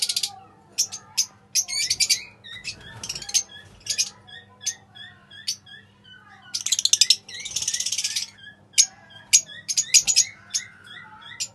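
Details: Pale fallow lovebirds in captivity chirping: bursts of sharp high chirps and squeaky notes separated by short gaps, with two denser chattering runs in the middle, quieter faint chirps between.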